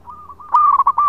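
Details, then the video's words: Local zebra dove, a vigorous singer recorded as a lure: a soft drawn-out opening note swelling into a loud trill of rapid rolling coos. "Perkutut Lokal Gacor Suara Panjang buat Pancingan"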